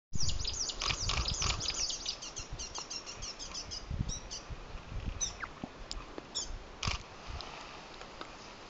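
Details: An adult Chinese leaf warbler (Phylloscopus yunnanensis) singing on territory at Old Peak, Hebei, China, gives a fast, high, dry trill followed by scattered thin high chips and short rising squeaks, over low rumbling background noise.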